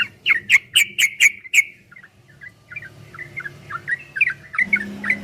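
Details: Trucukan, or yellow-vented bulbul, singing a fast 'ropel' master song: a burst of loud, clicking, bubbly notes, then a softer run of quick warbled phrases, with a low hum in the background.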